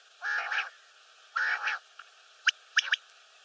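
Common Quail: two harsh, raspy half-second bursts, then three sharp liquid notes, the last two close together, like a quick 'whit, whit-whit'.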